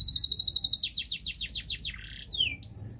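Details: Canary master song used to prompt a silent canary into singing: high, rapid rattling trill, then a run of sweeping down-slurred notes, followed by a falling glide and a few sharp whistled notes.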